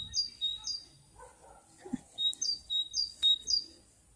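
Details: Bird song recorded in May 2021: clear high whistles in repeated two-note pairs, a sharper note then a lower one, about four pairs per second, with a few soft clicks and rustles behind.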